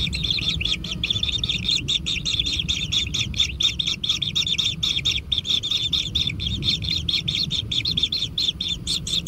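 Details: Continuous begging from kingfisher young at a natural nest during feeding, an unbroken rattle of hoarse, high chirps pouring out quickly for the full length, with faint low noise behind.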